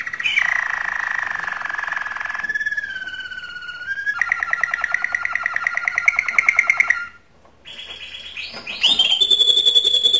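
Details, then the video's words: Canary singing to stimulate females for mating: a long buzzy held tour, a sliding whistle, then a fast rolling trill of repeated notes, a short pause, and high rising whistled notes to finish. "تغريد كناري للتزاوج"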